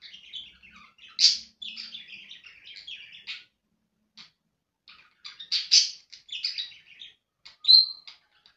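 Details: Domestic budgerigars warble in bursts of rapid, scratchy chirps and squeaky whistles, broken by a clear pause of about a second and a half before the chatter resumes, ending with a thin rising whistle.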